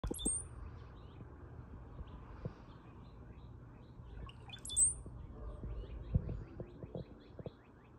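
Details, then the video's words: Brown-headed cowbird giving two thin, very high, sliding whistles about four seconds apart, followed by a quick run of soft ticks, over a steady low rumble. "Brown headed Cowbird"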